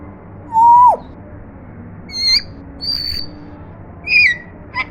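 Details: Pet African grey parrot attempting to talk: a loud, clear whistle sliding downward, then a few shorter high whistled notes, some rising and some falling, spaced about a second apart, over a low steady background hum.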